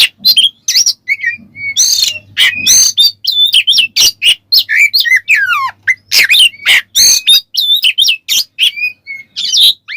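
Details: Ngeplong-style song of an Oriental magpie-robin, played as a lure so other birds get provoked: dense, varied run of clear whistles, sliding notes and scratchy rasping bursts, nearly continuous, over a faint low hum.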